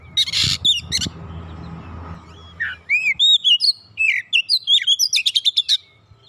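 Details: Oriental magpie-robin song meant to get a non-singing bird going. A harsh rasping start, a quiet gap, then bright whistled slurs build into a fast run of sharp repeated chips.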